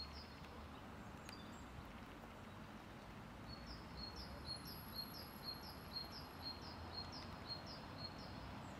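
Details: Grey wagtail (Motacilla cinerea) at Prule, Ljubljana, on 10 February 2024 gives a run of sharp, high, clipped call notes, about two per second, over a steady low rumble of water or distant traffic.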